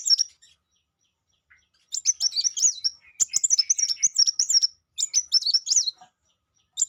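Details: Sangkrut bird song in several bursts: quick high-pitched twittering phrases of jumbled chirps, each lasting about a second, separated by short silences, with a soft lower note or two between phrases.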